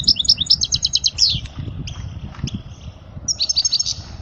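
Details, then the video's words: European goldfinch song for young goldfinches to learn, a quick run of repeated high tinkling notes, a pause with faint scattered chips, then another fast twittering burst. "اجمل غناء لتعليم صغار الحسون"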